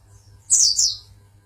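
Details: Champion Oriental white-eye from Pangandaran: a single short burst of two high, squeaky, slurred chirps, over a faint low hum.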